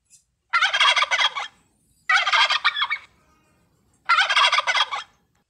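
A turkey gobbles three times, about two seconds apart. Each gobble is a rapid, rattling, throaty burst lasting about a second.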